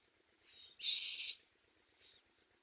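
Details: Common myna chicks in a nest: a short harsh hissing rasp, then a longer, louder hoarse wheezing burst lasting about half a second, and a faint brief rasp near the end; quiet otherwise.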